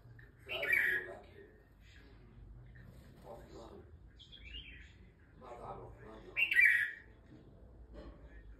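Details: Kashmiri bulbul singing two brief, loud warbled phrases several seconds apart, with people talking softly in the gaps between them.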